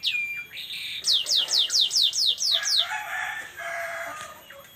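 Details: Canary singing in a unique style, called cengkok unik: a high whistled note, then a run of seven loud descending sweeps, followed by a softer, lower buzzy warble.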